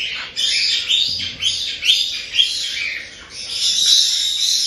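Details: Young cockatiels, roughly a month old, from a Tokachi, Hokkaido breeder, making chick-only 'jaa-jaa' cries. Loud, scratchy squawks repeat about twice a second, then merge into a continuous hoarse wail.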